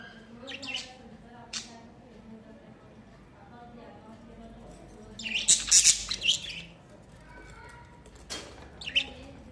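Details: Budgerigars in summer giving scattered bursts of harsh, buzzy high chatter, strongest mid-clip around the fifth to sixth second, with a low steady background hum and faint voices.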